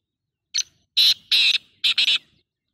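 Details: Harsh grating call of a black francolin, one brief note followed by two drawn-out rasping phrases and a fast paired ending, loud and clear over near silence.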